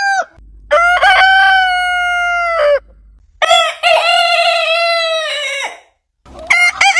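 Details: Heritage rooster crowing: a long sustained harmonic crow held nearly two seconds, a second strong crow after a pause, and the start of another at the end, with a faint low hum beneath.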